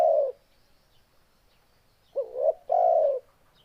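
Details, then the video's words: The tail of a low coo from a spotted dove, a short silence, then one complete phrase: a quavering upward note followed by a long, deep, steady coo. "Suara Burung Tekukur"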